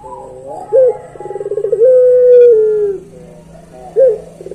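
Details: Barbary dove of the pelung type: a clipped rising note, rapid beating roll, then a long steady coo falling at its end, and another clipped note starting the next phrase.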